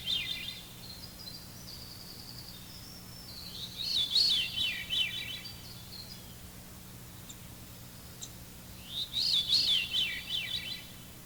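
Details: Veery song: two haunting, fluty, ringing phrases spiralling downward in pitch, about five seconds apart, the bird seemingly singing in harmony with itself, over a low steady hum.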